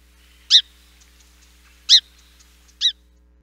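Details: A Song Sparrow's year-round contact call, used to keep in touch in the bush on the winter Mendocino coast: three short, husky 'chimp' notes like a tiny dog's bark, about a second apart, with faint ticking between.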